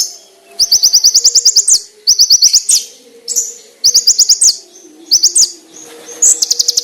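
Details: Konin singing a master song for training, described as a rich, sharp, clear song: four bursts of fast, very high, slightly rising trilled notes, each about a second long, separated by short gaps, over a faint low hum.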